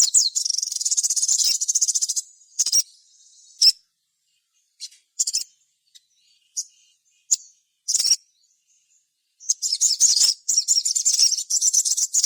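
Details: Sogon singing loudly as a lure for other sogon, ngalas and nyaut style: long buzzy, rattling trills of very high notes, separated by isolated sharp chips and brief silences.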